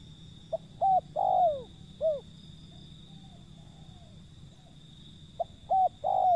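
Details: Wild zebra dove giving a phrase of short arched coos around a long downward-sliding note, then faint soft notes and the start of a second phrase; constant low hum beneath.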